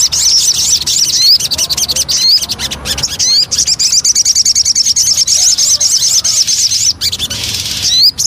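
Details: Javan cochoa lure song: dense runs of high, rapidly repeated rising whistled notes mixed with chattering trills, broken by sharp clicks and brief bursts of broadband noise throughout.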